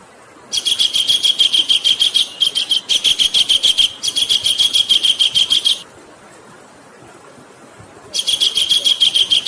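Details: Javan kingfisher call used for training cage birds: harsh, rapid rattling notes, about three a second, in long loud bursts broken by short gaps and one longer silence.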